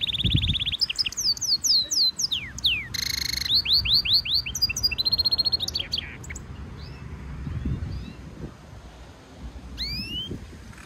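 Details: Singing European goldfinch mule, a hybrid, in training song: rapid trills, descending whistled slurs and a brief dense buzzy chord, with varied twittering phrases that thin out toward the end and a final pair of rising whistles.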